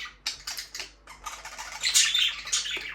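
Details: Budgie chirping meant to keep a lonely bird company: busy overlapping chatter of soft clicks, scratchy notes and squeaky high chirps that swells toward the end, over a low hum.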